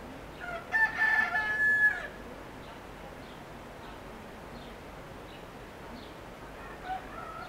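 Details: Rooster crowing: one drawn-out, fairly high crow lasting over a second near the start, followed by a steady background hiss and faint distant chirps.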